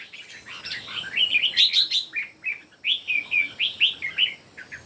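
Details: Red-whiskered bulbuls, three birds singing in competition: bright warbled phrases of short rising and falling notes around the upper-middle pitch, delivered in quick bursts with brief gaps, overlapping voices.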